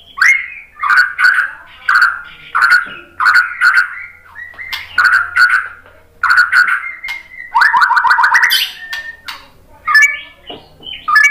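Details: Rhythmic song of a white-rumped shama used as a lure for other shamas: mellow whistled phrases repeated in regular pulses roughly every 0.6 seconds, ending in a rapid rolling trill and scattered sharp notes.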